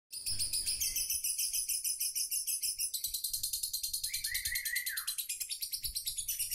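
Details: A lovebird gives a long, continuous "ngekek" chatter, a rapid, high-pitched trill of shrill notes, several per second, without a break.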